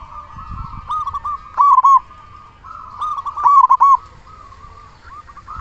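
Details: Loud-voiced local zebra dove singing, used as a lure to prompt other zebra doves to call and to stir breeding urge; short staccato bursts of clipped cooing notes over a steady low humming tone, two phrases a few seconds apart.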